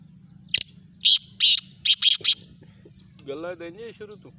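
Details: Black francolin calling: a quick series of six harsh, sharp, high notes in close succession, followed by a lower, throaty harmonic chatter, over a steady low background hum.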